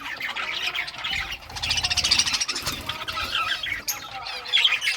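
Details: Several budgerigars of rare colours playing with toys, recorded June 18, 2023; dense high chattering and warbling chirps from the flock, with scratchy squawks and some low rumbling noise in the background.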